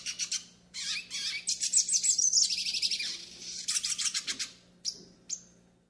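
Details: Hooded siskin, northeastern Brazilian type, singing a training and warm-up song: quick high chirps leading into a sustained buzzy twittering trill, a series of rapid clipped notes, then two isolated sharp high calls, over a low hum.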